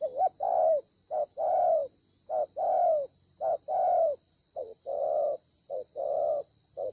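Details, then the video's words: Spotted dove decoy bird in a fierce fight, Central Highland forests of Vietnam, 19 October 2020. Rapid repeated two-note coos, a short hoot then a sustained one, come roughly every second, opening with a wavering note, over a continuous high-pitched whine. "Thổ khủng.trận chiến ác liệt có thần rắn thổi còi"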